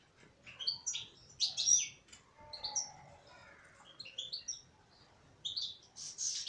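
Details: A female European goldfinch sings chattering, tinkling twitters, loud and dense early on, then softer lower notes, then fresh bursts of high twittering toward the end.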